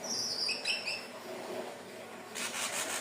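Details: A Hill blue flycatcher sings a quick, sweet warbled phrase of high whistled notes over about one second. A burst of dry rustling noise follows, set against constant low hiss. The recording is used as a lure for birds.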